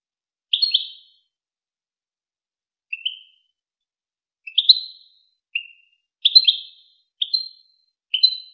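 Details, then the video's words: Wakr Touzgha goldfinch tutoring recording for chicks and hybrids: sparse, bright twittered phrases, short and high, spaced unevenly with a long pause early on, then coming closer together. "شريط وكر توزغة الشهير لتسميع فراخ الحسون و الهجين"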